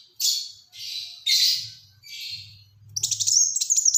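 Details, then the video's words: Black-throated sunbird in 'tembakan rapat' song for luring and tutoring birds: several harsh, buzzy high bursts about half a second apart, then a fast rattling twitter of thin whistled notes. "Burung Kolibri Wulung Gacor Tembakan Rapat untuk Pancingan & Masteran"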